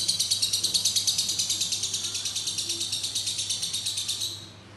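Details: Lovebird ngekek song of long duration, a rapid, shrill, evenly pulsed chatter that fades away in the final half-second, leaving only low background hum.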